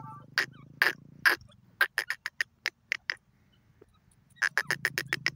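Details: Francolin, called teetar, producing irregular bursts of loud, raspy, clipped pulses, some widely spaced and others packed close together, over a faint low hum.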